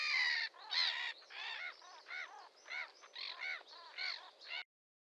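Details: Red-crested pochard producing rapid, rhythmic nasal squawks, a long loud opening note followed by shorter repeated calls about every half second, then stopping abruptly into silence.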